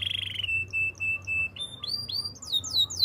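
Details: Spanish Timbrado canary singing a training song: a steady buzzy roll breaks into short even pulses, then arched sweeps that rise and fall, climbing higher and coming faster toward the end.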